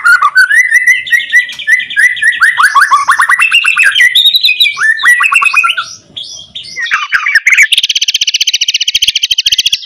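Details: Loud white-rumped shama song, with loud rattling notes, meant to trigger silent shamas into singing: dense rapid trills and twittering phrases, ending in a fast buzzy rattle repeated many times per second.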